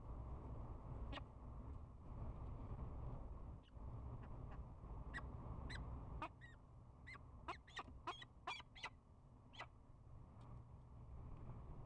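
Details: Peregrine falcons open the spring season at a nest camera with courtship bowing and chupping. A few sparse chups at first, then a quick burst of rapid chupping notes near the end, over a continuous low hum.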